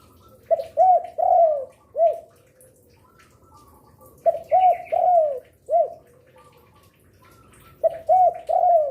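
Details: Persistent spotted dove song, suited as a lure for other doves; three phrases of mellow repeated coos with a drawn-out note in each, separated by pauses of two seconds, light chirps in the background.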